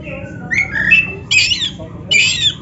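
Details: Black-breasted oriental magpie-robin in a master song for caged birds: a clear whistled phrase, then two loud harsh buzzy bursts about a second apart, over low background hum.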